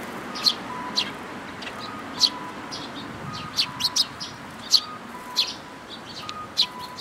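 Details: Parent sparrows and chicks on 19 May 2018 give single short high chirps every half second to second, some close in pairs, over a faint steady electronic tone.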